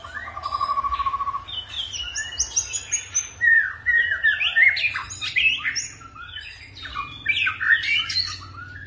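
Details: Forest-style song of a white-rumped shama with phrase switching: a steady trilled buzz opens, followed by a dense tumbling stream of high whistles, slurs and chattering notes.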